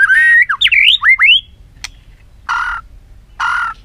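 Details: White-rumped shama in voice-training song: rich, swooping whistled phrases rising and falling rapidly, followed by a sharp click and two harsh, broad squawking notes after pauses.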